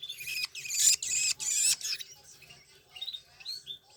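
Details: Long-tailed shrike chicks from Banyuwangi scramble for food during hand-feeding with loud, harsh, hissing screeches in three long bursts, then fainter squeaky begging calls.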